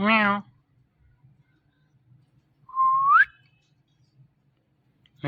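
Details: Talking Indian ringneck parakeet gives a short harsh voiced syllable, then after a pause a clear rising whistle, ending with a brief click-like note in a quiet room.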